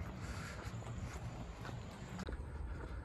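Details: Low rumbling wind buffeting the microphone, with faint rustling and no animal calls.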